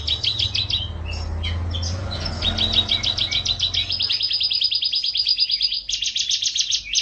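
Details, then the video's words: Canary as a tutor for pet songbirds. Fast rolling trills and chattering phrases sound over a low background hum that fades midway, then a steady rapid trill follows. "Suara Burung Kenari"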